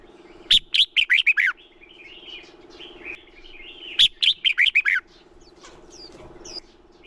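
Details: Red-whiskered bulbul singing to stimulate other bulbuls to sing: two bursts of loud, clear whistled notes, each a rapid run of six or seven rising-falling phrases, separated by softer warbling, over a steady low hum.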